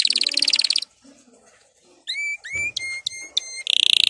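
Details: Canary song intended to encourage caged canaries to sing: a dense rapid trill, a pause, then several clear rising whistled notes separated by short gaps. It closes with another fast buzzy trill.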